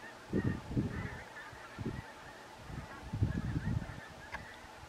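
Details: Pink-footed geese at Stiffkey, Norfolk, in October 2020: short, low honking calls from several birds in bursts, with a pause in the middle, over a steady background hiss.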